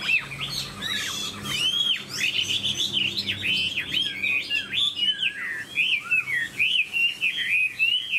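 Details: Caged Chinese hwamei, a songbird kept in Vietnam, singing a long, loud, varied run of rich whistled phrases that slur up and down, with rapid trills and repeated notes in steady succession.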